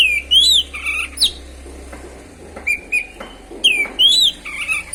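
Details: Oriental magpie-robin (kacer) song played to provoke other birds: rich whistled phrases with rising and falling slurs and clicks, a quieter pause, then a repeated phrase of bright arched whistles.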